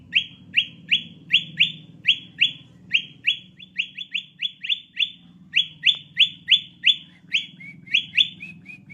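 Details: Lure call of the sooty-headed bulbul for attracting birds: a fast, near-continuous series of about thirty bright rising chirps, several per second, some softer notes near the end, over a faint low hum.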